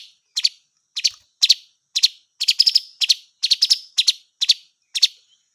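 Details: A blue magpie calls in a steady run of short, scratchy double and triple notes, about one cluster per half second, bright and high, in an otherwise quiet background.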